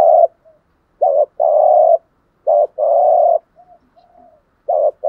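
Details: Patterned 'gù thúc' cooing of a spotted dove, used to set decoy doves cooing. Three phrases come in quick succession, each a brief warbled note leading into a longer droning coo, with soft faint mutters in the gaps.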